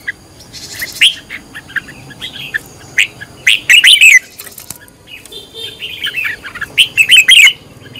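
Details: Red-whiskered bulbul singing while being trained as a decoy bird, with loud, sharp whistled phrases in bursts around one and four seconds and again near seven seconds, separated by softer chirps.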